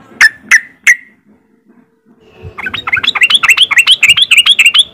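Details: Yellow-vented bulbul in riwik song meant to spur other untrained bulbuls into singing: three sharp, evenly spaced clicks, a short silence, then a long, rapid chattering trill of bright notes, repeated quickly and steadily.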